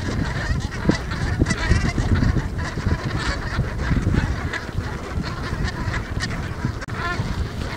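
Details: A meadow crowded with geese on Ameland: continuous clamour of overlapping honks from the flock, with heavy low wind rumble throughout.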